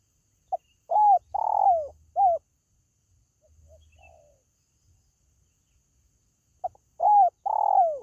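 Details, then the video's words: Spotted dove luring call for pet birds: a phrase of short note, curved coo, long trilled falling coo and brief end note, a quiet gap with faint murmurs, then the phrase starting again. "SUARA PANGGILAN BURUNG TERKUKU"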